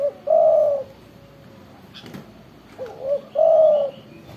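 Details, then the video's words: Spotted dove (tekukur), loud and calling readily, gives a long mellow coo, then after a pause a full phrase: two short upward hoots followed by another sustained, hollow coo. A brief rustle is heard between them. "tekukur gacor suara besar"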